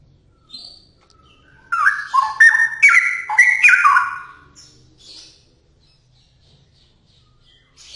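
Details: Straw-headed bulbul singing energetically: a brief burst of loud, liquid, jumping notes mid-phrase, framed by quieter high chirps before and after.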